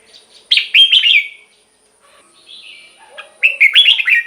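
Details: Song of a Red-whiskered bulbul meant to make caged birds lively or act as a decoy: a rich, fluty burst of tumbling notes, a soft pause, then another quick warbled phrase.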